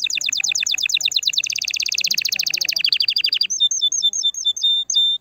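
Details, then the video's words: Canary singing to stimulate the female: a long run of fast repeated downslurred notes that shifts into a denser rolling trill, followed by a few clear whistled notes repeated at an even pace. "Chant de CANARI pour STIMULER la FEMELLE"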